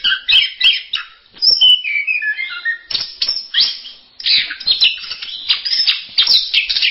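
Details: Varied anis merah song from an orange-headed thrush: quick chirps open into a cascading series of whistled notes that descend step by step, then loud jumbled warbling phrases broken by brief pauses.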